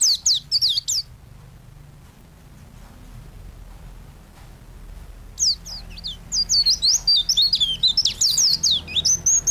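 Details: White-eye (pleci) singing energetically in a master recording for training songbirds: a burst of high, thin twittering whistles, a quiet pause of several seconds, then a long run of quick, jumbled high chirps.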